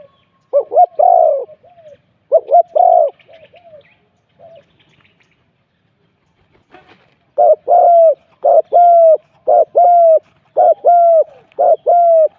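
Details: Spotted dove, decoy luring: two stuttered cooing bouts with soft trailing notes, a pause, then a fast even run of paired coos, a short note and a longer falling one, about once a second.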